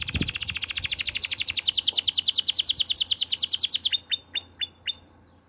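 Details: Canary singing in breeding condition and calling to the female: a long, fast roll of clipped, rising notes repeated many times per second. It then shifts to a slower series of sharp, separated chips.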